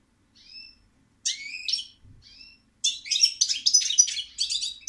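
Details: European goldfinch starting with a soft thin whistle, then a buzzy note, then breaking into a quick, jangling twittered song of liquid chirps.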